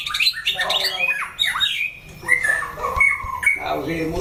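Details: Fighting-test white-rumped shama in a cage, singing a rich jumble of sweeping whistles, rasps and sharp squawks in quick bursts. Human speech is faintly audible behind it.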